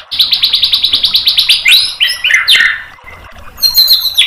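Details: Shama training song meant to provoke a reply, with rapid-fire 'tembakan' phrases: a quick run of about sixteen evenly spaced clipped notes, then rich slurred whistles, a short gap, and high ringing notes to finish.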